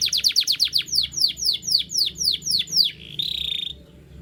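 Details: Canary singing in the morning: a fast series of loud downward-sweeping whistled notes, about four per second for three seconds, then a brief steady trilled note at the end.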